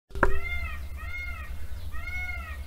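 An Indian peafowl gives three drawn-out, nasal, arching wails about half a second each, over a steady low rumble and one early knock.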